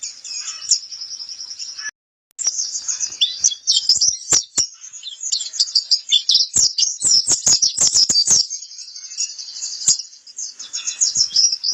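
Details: White-eye of the kind called pleci kapur, singing a long, dense, high twittering warble with rapid chirps and trills, broken by a brief silence near two seconds; sharp clicks punctuate the song.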